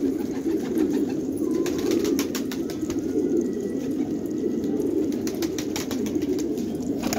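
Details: Afghan jangi tumbler pigeons in a village at Khanabad: many birds coo at once in a low rolling drone, with bursts of sharp clicks and a faint thin tone in the background.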